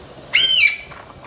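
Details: A Chinese bamboo partridge in the Omuro plateau villa area of Izu, Japan, filmed close up, gives one loud, shrill, slightly arched note under half a second long instead of its usual repeated phrase; quiet background.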